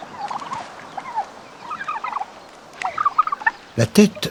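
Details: Male domestic turkey gobbling in anger before battling a rival for leadership of the farmyard group, red wattle swelling: two stretches of fast warbling gobbles, then a loud clattering thump near the end.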